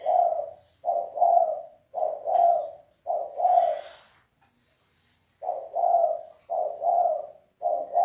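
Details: A spotted dove sings its 'sấm chuông' coo, used to stimulate cocks, hens and fresh-caught birds; mellow two-part coos repeat regularly, broken by a brief silent pause midway.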